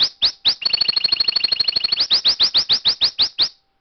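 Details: Pet canary singing indoors: a mechanical, machine-gun-like series of sharp rising chirps, first spaced, then a fast rattling trill of about twenty notes, then evenly repeated chirps roughly five per second.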